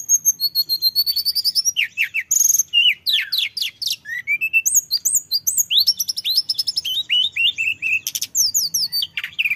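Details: Male orange-headed thrush song for luring, a nonstop rolling stream of high whistled notes, steep downward sweeps and rapid chattering trills packed closely together.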